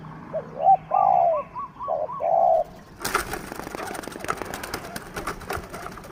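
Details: Spotted dove held captive as a decoy to lure wild birds: a short phrase of low, soft coos, one long and two shorter, then a sudden loud crackling rustle takes over.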